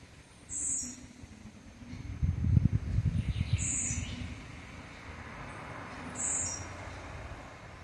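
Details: A blue-black grassquit gives its 'campainha' (bell) song, three brief, very high, sharp notes about every three seconds, over a low rumble of passing traffic.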